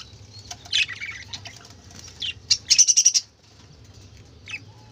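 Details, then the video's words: Budgerigar chatter: loud shrill squawks and warbles, then a run of about six rapid, evenly spaced harsh calls, followed by quieter twittering. "কালারফুল পাখিদের চেঁচামেচি ৷ বাজিগর পাখির ডাক"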